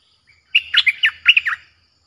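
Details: Streak-eared bulbul singing a harsh-toned lure song for wild birds: one short phrase of loud, tumbling chirps and warbled notes, rising and falling quickly, then ending abruptly.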